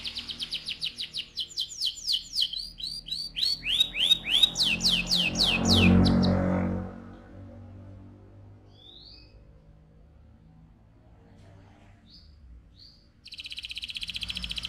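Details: AF canary giving loud ngerol rolls: rapid downslurred notes and swooping whistles for six seconds with a noisy rumble swelling underneath, then near quiet with a few soft notes before a buzzy trill resumes.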